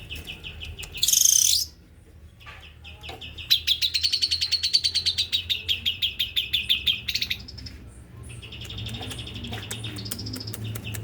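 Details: Male white-rumped shama singing fast, dense pentet style: a loud burst, then a long rapid trill of sharp high notes lasting about four seconds, followed by softer whistled phrases.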